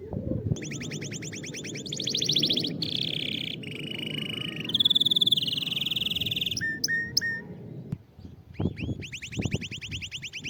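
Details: Canary song played to prompt a silent canary: rapid swept-note trills and rolling tours, a brief gap, sharp chips, then fresh trills, over steady low rumbling noise.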